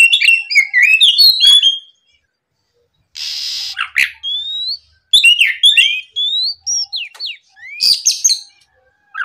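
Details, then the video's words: An Oriental magpie-robin in full morning song meant to provoke rivals, opening with a rapid jumble of whistles, then a harsh hissing burst, followed by varied rising and falling whistled notes. "MEMANCING KACER LAWAN LEKAS BUNYI GACOR DIPAGI HARI, TERAPI SUARA PIKAT BURUNG KACER GACOR NGEPLONG"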